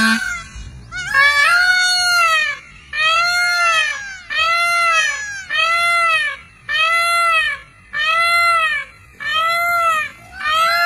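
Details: Peacock giving loud, nasal, wailing calls, each about a second long, repeated steadily roughly every one and a half seconds, while dancing.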